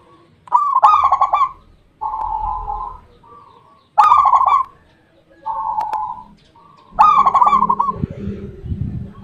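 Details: Zebra dove, a local Indonesian perkutut kept for its song, delivering repeated cooing phrases about every one and a half seconds, each opening with a sharp note and rolling into a trilled, purring coo; faint low rumble underneath.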